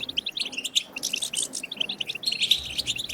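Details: Batbata khalawiya goldfinch song for stimulating goldfinches to sing: quick sequence of sharp, bell-like chips and short twitters, with a slightly drawn-out tinkling phrase near the end.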